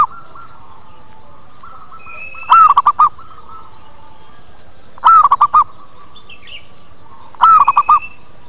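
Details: Luring call of a zebra dove meant to bring birds in quickly and get them replying: three phrases, each a falling coo followed by a few clipped coos, roughly every two and a half seconds, faint high chirps in the background.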